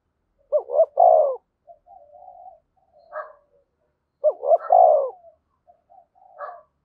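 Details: Spotted dove decoy calling to lure wild doves. Two phrases about three seconds apart, each two short rising coos and a long rough falling coo, followed by soft scattered notes.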